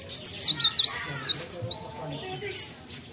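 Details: Cikrak daun (Mountain Leaf Warbler) singing: a fast, high-pitched twittering run of thin squeaky notes and sliding whistles, about four per second for a second and a half, then a few scattered high chirps.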